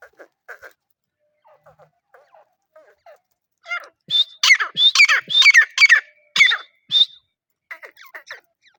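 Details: Grey francolin gives softer clucks, then a loud run of about six harsh, ringing notes in quick succession, followed by quieter chirps.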